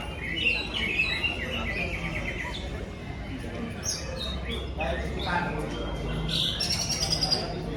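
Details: A greater green leafbird delivers varied song material said to copy tengkek udang and jinjing petulak: scattered sharp chirps, trills and high whistled notes with irregular spacing, set against a constant low hum and faint noise.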